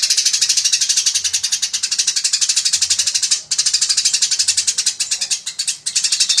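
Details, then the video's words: Eurasian tree sparrow calling while fighting, real sound: a relentless stream of shrill chirps, about four per second, with one short dip in the middle and faint low humming bursts behind. "GREJA TARUNG GACOR SPEED RAPAT SUARA ASLI"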